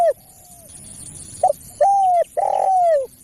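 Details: Spotted dove calling to lure other doves: a long falling coo, then a short pause, a brief note and two drawn-out descending coos, clear and loud against faint hiss.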